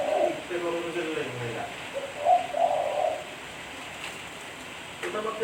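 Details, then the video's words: Zebra dove singing in daytime, heard through a recording with some room noise: a few soft, low cooing notes and a brief rolling trill, then quiet before a last faint note. "Suara Burung Tekukur Bersih-Suara Burung Tekukur Buat Pancingan"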